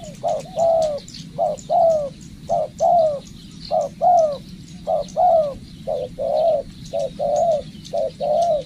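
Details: Decoy spotted dove in training, delivering a steady series of paired coos, short then longer and falling, roughly twelve phrases in quick succession, with faint high twittering of other birds behind.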